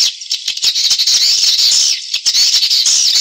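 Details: Edible-nest swiftlet lure call played to attract swiftlets from other nesting houses into a private swiftlet house: dense, buzzy, high chattering twitter with rapid clicking pulses, nearly continuous, briefly dipping near the start and around two seconds.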